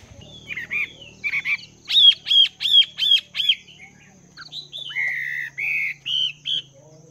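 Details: Chinese hwamei kept two months in a cage, training its voice in the morning: a series of loud ringing whistles repeated about twice a second, followed by drawn-out buzzy and slurred notes.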